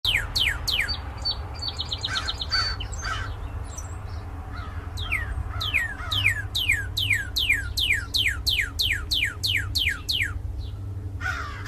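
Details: Red cardinal singing: a fast series of loud downslurred whistles sweeping from high to low, about three per second, after a brief opening of high tonal trills, with a low steady hum beneath.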